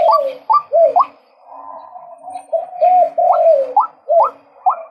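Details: Male white-breasted waterhen calling: loud, hoarse notes that each sweep upward, given in quick series of two or three with a sustained droning phrase in between, no other sounds.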